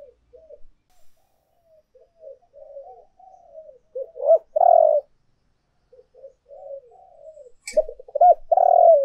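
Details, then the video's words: Spotted dove lure recording of urging and calling coos: soft, low murmured coo notes run through the first half, then loud phrases of short rising notes and a long rolling coo near the middle and end. "tiếng cu gáy thúc và gáy gọi hay nhất"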